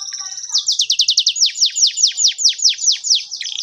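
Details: Singing canary, recorded as a lure for juvenile canaries: a brief thin trill followed by a string of high, down-sweeping chirps, first rapid, then slowing to about two per second.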